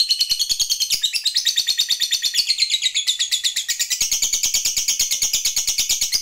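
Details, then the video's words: Caged lovebird in long trilling ngekek song, used to provoke other lovebirds into singing; a fast, continuous chatter of shrill high notes pulsing rapidly for the whole stretch, pitch shifting slightly midway, indoors. "Suara Lovebird GACOR ini, DENGAN CEPAT Mampu Memancing Labet Agar NGEKEK PANJANG"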